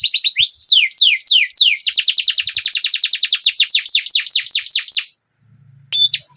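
Canary song: fast rolling trills of rapid descending whistled notes, high and bright, repeated in long runs, ending with a short break and a faint click.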